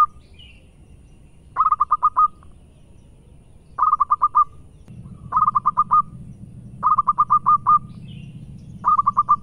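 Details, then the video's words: Local zebra dove (perkutut lokal) song in bursts: quick clusters of five or six clipped cooing notes, each burst under a second, repeated roughly every two seconds, over a low background hum that strengthens midway. "Power Full Perkutut Lokal Gacor"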